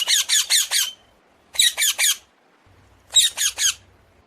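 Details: Common hill myna calling in three bursts of harsh, grating squawks, five notes, then four, then three, each burst separated by a short pause; a soft low hum underneath.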